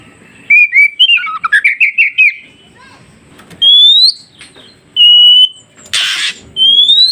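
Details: Oriental magpie-robin song used to make newly caught forest birds respond quickly: a rapid trill of looping notes, then long pure rising whistles, plus one harsh noisy burst.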